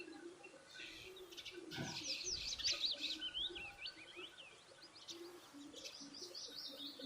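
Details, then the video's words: Feeding birds chirp rapidly, with a run of sharp, zigzagging high notes clustered mid-clip and lighter tweets afterward, over a constant low background hum. "bird chirping sound | birds chirping sound effect"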